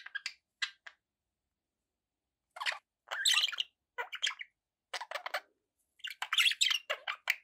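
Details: Several short bursts of scratchy chirping from pet budgerigars, separated by pauses, ending in a longer run of warbled chatter and squawks.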